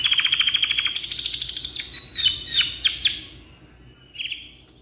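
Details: Canary, black-red, singing its long ngeroll song for tutoring: a fast regular trill of about three pulses per second that slides into quick downslurred chirps, a short silence, then a brief high buzzy note.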